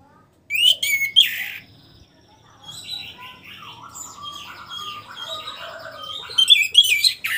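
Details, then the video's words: Caged orange-headed thrush after its moult, beginning to sing freely again: bright whistled and chirping phrases, an opening burst of sharp notes, then quieter varied warbling that builds into a loud run of clipped notes at the end. "memancing suara anis merah setelah ngurag"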